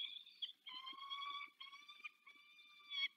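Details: Female peregrine falcon summoning her mate, Dolina Baryczy, Poland, March 2024: a quieter chain of four long, scratchy, wailing notes running almost without pause, with faint low knocks in the background.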